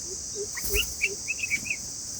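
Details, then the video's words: Father bulbul calling to warn of a predator and protect its chicks: short sharp chirps, some rising, in a quick uneven series, with lower soft notes between them over a steady high insect hum. "Father Makes Strange Sounds to Save babies from predator | Listen to predator | bulbul bird day3"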